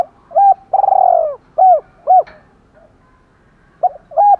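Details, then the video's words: Spotted dove used as a decoy bird, giving a fighting call and calling coo in the thổ pha voice style; loud, low, hollow coos in short bursts, one longer pulsing trill, then a pause before two more coos. "Chim Cu Mồi Giọng thổ pha, thúc đấu rất đỉnh và gáy gọi chất hai"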